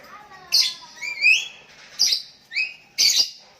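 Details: Sooty-headed bulbul calling out a rival, with other bulbuls replying: scratchy harsh bursts alternate with short upward-sweeping whistles, roughly one note every half second.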